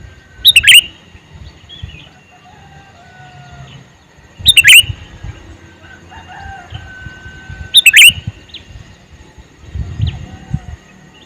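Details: Calling male sooty-headed bulbul: three bursts of sharp, bright chirps roughly three and a half seconds apart. Faint calls of other birds and low thumping noises are heard between the bursts.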